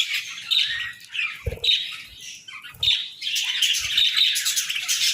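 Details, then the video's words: Budgerigar morning chirping in bursts: short high chirps and scratchy warbles, a louder overlapping chorus in the second half, with a few low knocks. "Chirpy Mornings with Budgies!"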